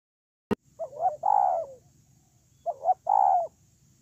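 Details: Spotted dove kept as a ground decoy bird, recorded 8/10/2018: two cooing phrases, each a short wavering double note followed by a longer, louder, slightly falling coo, opening after a sharp click, with a faint low hum beneath.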